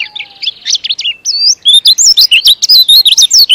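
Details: Fast, long-running white-eye (pleci) song in a showy style: quick high chirps, then a dense string of looping whistled notes repeated over two times a second.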